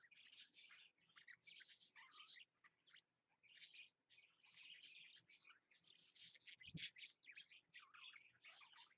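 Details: Two pet budgerigars doing their mating dance at 8 AM on 8 March 2015 give a busy, scratchy warble of chirps and chatter during courtship.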